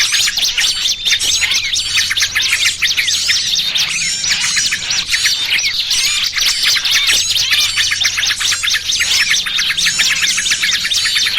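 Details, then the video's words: Lure sound for catching small birds, combining noisy trucukan with 'burcil kejepit': a crowded chorus of sharp high chirps, squeaky squawks and rapid twitters, unbroken for the whole stretch. "Suara Pikat Burung Kecil Paling Ampuh!! trucukan ribut kombinasi BURCIL KEJEPIT"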